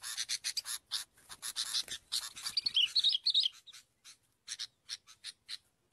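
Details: Sooty-headed bulbul lure call: rapid scratchy bursts, a cluster of clear whistled slurs, then spaced harsh chips thinning out toward the end.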